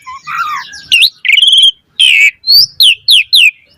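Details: Asian pied starling in varied fast song as a lure: soft warbled notes, a buzzy trill, a harsh rasp, then four loud sharply falling whistles in quick succession.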